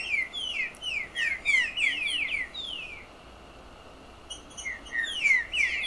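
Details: Picharro, a bird known from farms and the interior of northeastern Brazil, giving its song: quick descending slurred whistles in a dense run, a pause of about a second, then more falling notes.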